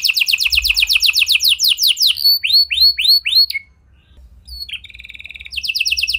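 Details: Canary, a gacor (constant) singer with unique cengkok phrasing, sung as a lure to make silent canaries respond; rapid high descending trill notes, then a series of upswept whistles, a brief pause, a buzzy rattle and a fast high trill.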